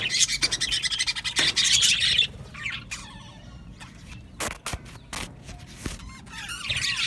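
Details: Aviary budgerigar colony chirping: a dense burst of high warbling chatter for about two seconds, then scattered clicks, sharp taps and wing-flutter sounds, before the chatter rises again at the end.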